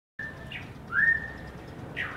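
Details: A bird in Cisangkan Permai, a cool valley in South Cimahi, gives thin, clear whistles: a steady high note, then a brief rising whistle and another short note, over faint low background noise.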